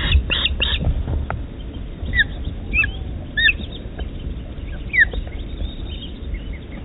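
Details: Osprey at a nest in the Dyfi Osprey Project during a feeding on 23 June 2020: about seven short, sharp, down-slurred whistled chirps scattered through the clip over a steady low rumble of wind and nest noise.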